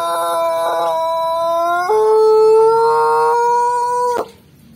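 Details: Pelung rooster crowing after seeing a hen kept below its cage, looking restless. One long, drawn-out, ringing crow that holds a steady lower note, steps up to a higher sustained note, and cuts off sharply after about four seconds.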